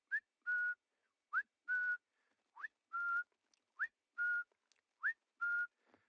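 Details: Greater Honeyguide at sunrise in October 2019 giving its territorial call: a rising note followed by a flat whistle, the 'vic-tor' pair repeated five times about every 1.2 seconds.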